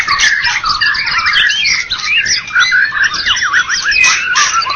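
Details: White-rumped shama from Medan and Java, champion at a songbird competition: piercing whistled sweeps and zigzag notes, fast and varied, sung continuously at high volume.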